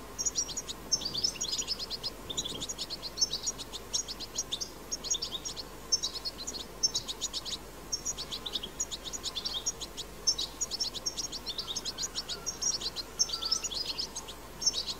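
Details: European goldfinch in the wild performing batbata song, the strong twittering style: bursts of high, sharp chirps and tinkling notes in clusters roughly every second, with a faint steady hiss beneath.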